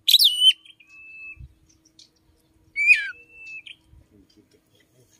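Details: Oriental magpie-robin in morning song, said to include chim sâu đầu đỏ notes; two bright downslurred whistled phrases, each trailing into a long flat thin tone, separated by quiet gaps and faint low clicks.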